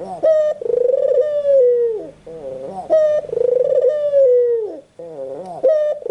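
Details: Cooing of a white dove, repeated in phrases about every two to three seconds. Each phrase starts sharply, then holds a level low tone that slides down at the end. The recording is close and clean.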